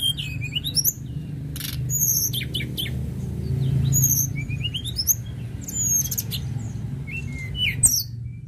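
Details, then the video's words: Sunda robin in vigorous song: upward-sliding high whistles, clipped chirps and drawn-out thin notes in uneven phrases, over a prominent low rumbling hum. "TLEDEKAN GUNUNG GACOR"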